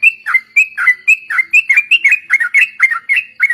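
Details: Rapid chattering run of bright whistled notes from a sooty-headed bulbul, phrases packed closely at roughly two per second, each a high slur sliding down; song offered as a lure for training other birds.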